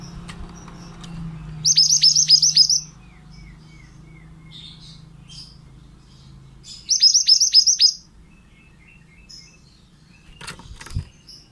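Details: Pied bushchat, a male kept for teaching song to other birds, delivers two bursts of rapid high trilled notes with steep downward sweeps about five seconds apart, with soft scattered chirps and a low hum between.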